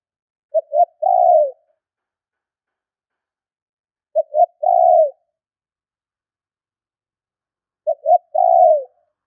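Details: Spotted dove gọi thúc lure call for wild doves: three evenly spaced phrases about every three and a half seconds, each two quick short coos followed by a longer coo that falls in pitch; silent between phrases.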